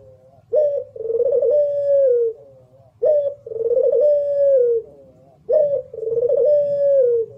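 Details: Local Barbary dove of the pelung type, kept for competitions, repeating its song three times at a steady pace: a short upswept note, then a long vibrating coo that tapers downward. A soft low rumble runs behind.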